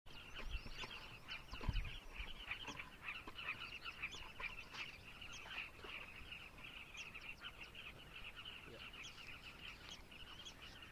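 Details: Carmine bee-eaters in Zambia, a dense overlapping chorus of short rolling, burry calls repeated continuously by many birds, with low thumps and rumbles near the start.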